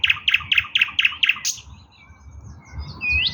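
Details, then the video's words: Eastern nightingale song recorded 16 May 2024, opening with six rapid repeated chopped notes, a brief buzzy burst, then a short pause and a rising whistled phrase. "bulbul ovi vostochniy Nightingale singing Russian соловей восточный"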